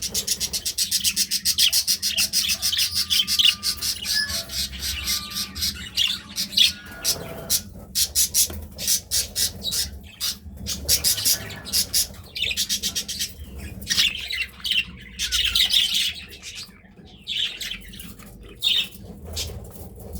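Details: Budgerigars (Melopsittacus undulatus) chatter steadily in scratchy, high-pitched squawks and chirps.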